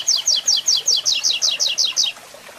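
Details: Double-collared seedeater tutor song, Tui Tui Zel Zel Zel style, for training birds: about eleven loud doubled downslurred notes repeated rapidly, roughly six per second, then stopping.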